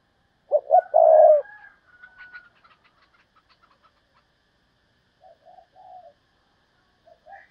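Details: Spotted dove used as a decoy, thúc bổi calling: a loud, deep phrase of two clipped coos and a drawn-out rolling note, followed by soft chirps of other birds and a few faint low notes later.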